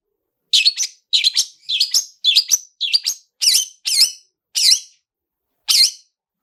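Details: Excited series of sharp chirps from a long-tailed shrike, each with a bright rising inflection, about nine notes in quick succession before a pause. Used as a 'toet toet' lure to trigger singing.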